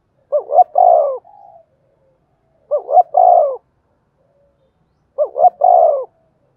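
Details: Spotted dove singing the thổ đồng style coo to get wild-caught doves cooing. Three phrases about 2.5 seconds apart, each with two short rising notes and a longer falling coo. The first is followed by a soft trailing note.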